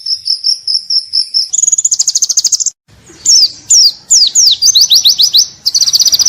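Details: White-eye (pleci) singing vigorously in the ngalas style on a tutor recording: a steady high whistled note, then a fast even trill, a short gap, and a run of sharp downslurred chirps ending in buzzy trilling.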